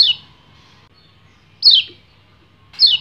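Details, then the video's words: Male white-eye (kecial kuning) in breeding condition, calling to a female: single short, sharp, downward-sweeping high chirps about a second or more apart, with quiet gaps and a faint low hum between them. "PLECI GACOR NGEBREN - KECIAL KUNING BIRAHI MEMANGGIL BETINA"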